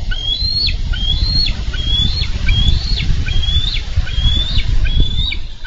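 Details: Nest-cam bald eagles in Minnesota, 4 July 2013, fighting over a freshly delivered carp. Shrill whistled notes rise then snap downward, repeated about once a second in a steady chattering run, over heavy low wind buffeting.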